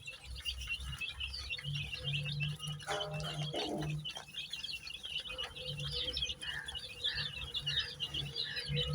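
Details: A group of colour-dyed baby chicks peeping in a dense, high twitter, with a brief louder, harsher sound near the middle and a low humming drone throughout.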